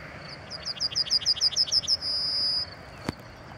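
A yellowhammer sings a quick, high run of about a dozen chipping notes, then a long, thin, drawn-out final note. A single soft click follows.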